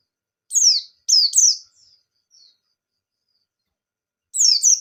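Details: Actively singing white-eye (pleci, 'bustomi' type), in the 'ngalas' style used as a lure to stimulate other white-eyes: a few sharp, high, downward-slurred whistled notes in short clusters, with faint trailing notes and long quiet gaps.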